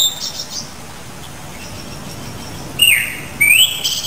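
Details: Japanese thrush (Turdus cardis): after a quiet stretch, two short clear whistled notes near the end, one dipping and the next rising sharply, each with bright overtones, over faint background hiss.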